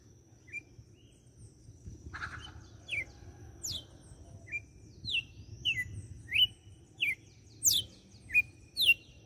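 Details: Red-cowled cardinal from Fortaleza, Ceará, Brazil, singing the açoite style: a run of clear slurred whistles, rising and falling, delivered in quick succession after a sharp snap near two seconds, with low background hum.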